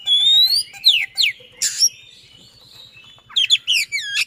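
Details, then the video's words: An Oriental magpie-robin gives a long rising whistle, then steep downslurred notes and a harsh burst. After a quiet pause of about 1.5 seconds, a rapid run of sweeping whistles follows. The style is a fast, persistent rolling song used as a lure for silent birds. "Speed Rapat Durasi Dapat | Roll Tembak dan Ngotot, Pancingan Kacer Macet Bunyi."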